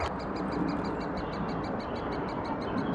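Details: At Thurrock woods on 20 May 2014, great spotted woodpecker adults bring food to chicks, filmed with a FinePix HS50EXR; quick regular ticking notes run through the whole stretch above a continuous noisy background with low rumbling.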